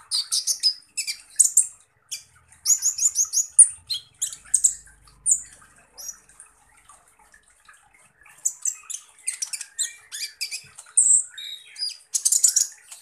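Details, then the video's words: Van Hasselt's sunbird (kolibri ninja) gives bursts of high rapid chips and slurred whistles in a 'tembakan kasar' song, with a quiet gap of a few seconds mid-way before a dense buzzy finish. "SUARA BURUNG Kolibri Ninja Full Tembakan Kasar"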